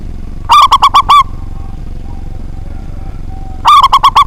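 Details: Loud local zebra dove that sings often, used to provoke rival doves: a rapid series of short coos ending in a longer note, repeated after about three seconds of near silence.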